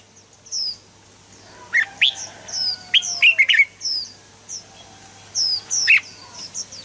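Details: Red-whiskered bulbul, played for stimulating birds: scattered, fluty, slurred whistles and quick doubled notes, with thin, high, downward chirps repeated between them and a constant low hum.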